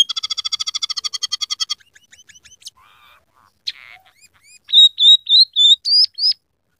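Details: Scaly-breasted munia, an eager singer using rough canary, red siskin and sparrow imitations; opens with a rapid rattling trill, scattered chips and a buzzy note, then five strong, level whistles.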